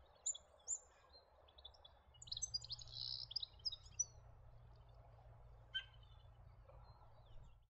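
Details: European goldfinch, introduced in Australia, in coastal or modified surroundings; bright high chirps and a tight tinkling burst early on, then scattered single notes over a low rumbling background.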